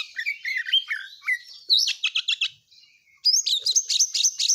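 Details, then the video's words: Song of an oriental magpie-robin, fast and tightly packed: varied whistles and warbles, quick clusters of sharp notes, a brief pause, then bright, high, rising phrases. "Burung Kacer Full isian Speed Rapat"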